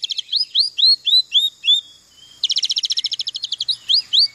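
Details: Oriental magpie-robin mimicking canary song: a series of bright, downward-slurred whistled notes, a brief gap, then a fast, even, buzzy trill of rapid repeated notes, ending in more slurred whistles.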